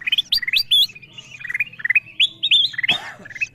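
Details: Bright, hooked whistles of ruby-throated bulbul used to lure wild birds, rising and falling in quick succession, broken near the end by one harsh, noisy burst.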